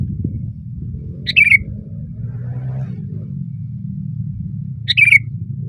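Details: Sooty-headed bulbul singing loudly on a branch, giving two short lively phrases about four seconds apart, each a harsh onset followed by a quick liquid warble, over a low rumbling background.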